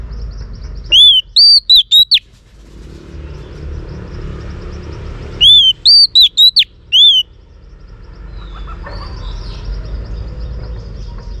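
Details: Female Oriental magpie-robin song meant to stimulate males, two bright whistled phrases several seconds apart, each a sustained arched whistle then a quick run of short downslurred notes, with soft background hiss between.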